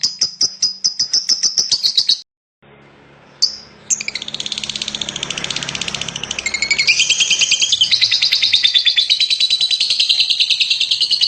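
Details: Champion lovebird singing: a run of sharp high ticks, a brief break, then a long, dense, buzzy chattering trill that holds steady and high, with rapid stuttered notes throughout.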